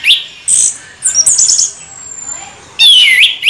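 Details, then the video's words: Ngeroll bocor rolling song of an orange-headed thrush: separate short, loud, very high bursts, a thin drawn-out whistle between them, ending in a swooping, falling whistled phrase. "Anis merah ngeroll BoCOR"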